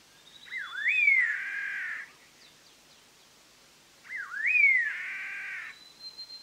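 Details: Collared laughingthrush song used as a trapping lure: two loud whistled phrases four seconds apart, each a quick dip then a rising slur into a fuller, richer held note, with faint high chirps between.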